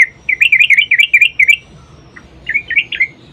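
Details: Yellow-vented bulbul in vigorous, long rolling fighting song used to lure other bulbuls into singing: a fast run of bubbly, wavering notes for about a second and a half, a brief pause, then a shorter warbled phrase.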